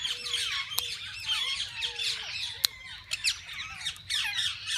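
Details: Various parakeets in a walk-in aviary at a parrot zoo where visitors feed and hold them: dense scratchy twittering and chirps, with a few clicks and soft low tones beneath.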